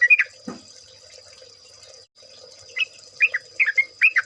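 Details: Yellow-vented bulbul (trucukan) in a lure recording from an ombyokan chorus. A few liquid double notes and a low thud open the passage. After a quiet stretch, a cluster of quick, warbled, slurred notes follows over a faint high hiss.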